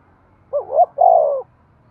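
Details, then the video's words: Spotted dove giving a cooing call said to stimulate breeding: two soft, throaty notes, a short bent note then a longer steady coo, low and mellow, with a quiet background. "Tiếng chim cu gáy thúc gù cực đỉnh/ chim cu gay kich boi hieu qua"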